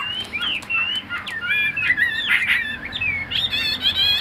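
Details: Caged, tame Chinese hwamei singing mellow slurred whistles and looping warbled phrases, varied in pitch, with fuller harmonic-rich notes toward the end.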